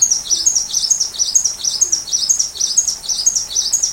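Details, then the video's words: Sunbird song used as a master recording for teaching a white-rumped shama: high, thin chirped notes repeated in quick, slightly uneven series, about two per second, over a soft hiss of background noise. "Masteran Rajanya Isian Kolibri"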